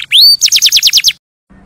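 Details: Canary singing beautifully: a loud, rising whistled note, then a rapid run of seven or eight bright, downward-sweeping notes about a tenth of a second apart. The song breaks off abruptly and leaves a faint low hum.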